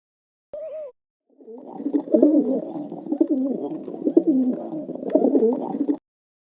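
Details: Pigeon cooing: a brief clear tone opens, then a dense, continuous layer of low, wavering, throaty coos that rise and fall in overlapping phrases for about five seconds.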